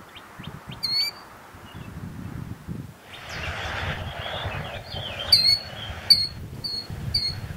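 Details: Female killdeer performing her broken wing act beside her ground nest, a display to lure predators such as raccoons or snakes away from her eggs; sharp high descending notes in short bursts near the start and again in the final seconds, over low rustling background noise.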